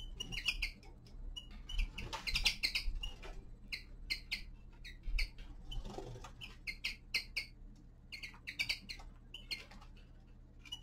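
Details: Winter descant of a young male common linnet: a sustained chatter of short, sharp, high twittering notes in rapid bursts with brief gaps, some notes rising, over low intermittent thumps and hum.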